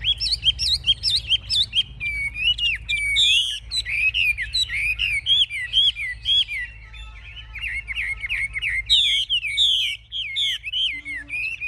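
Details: A fierce-fighting Chinese hwamei, holding its wings high and tail fanned, pours out a loud, nonstop song of rich, varied whistles and quick slurred phrases, bright and fluid, with a few sharper notes mixed in.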